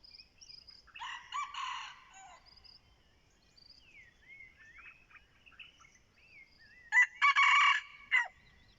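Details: ['A decoy red junglefowl gives two crows several seconds apart. Each is a coarse, stuttering blare lasting about a second. Between them, small birds whistle in soft, rising and falling slurs.']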